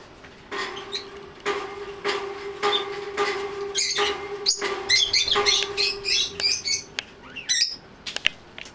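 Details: Territorial elderly female rosy-faced lovebird, a white-face American mauve cinnamon pet: bursts of shrill, high chattering chirps between rhythmic cage-banging thumps, with a steady low hum beneath.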